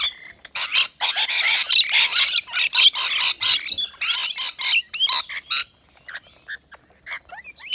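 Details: Rainbow lorikeets gathered at a balcony nectar feeder in Australia; rapid, overlapping shrill screeches and chatter for about five seconds, then sparser short squeaks and whistled chirps as the noise thins out.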